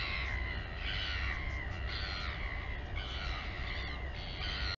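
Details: Mother royal albatross feeding her chick at Taiaroa Head colony near Dunedin, New Zealand, on a live nest camera; repeated nasal, wavering calls with bright harmonic bands rising and falling, over steady low wind rumble.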